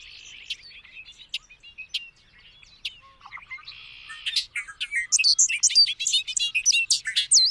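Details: Bobolink singing: scattered sharp ticks and a short buzz at first, then a loud burst of fast, tinkling, bubbling notes that rises to high pitch at the end.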